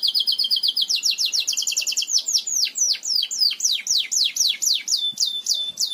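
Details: Belgian canary song used to teach canaries to sing: rapid high trills of short repeated notes, then slower series of downward-sweeping whistled notes, several each second, clear and loud.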